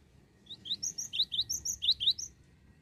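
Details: Cinereous tit in continuous lure song: a slightly softer run of about eight high notes alternating between a lower rising whistle and a thin upper note, quickening in the middle, over faint background rumble.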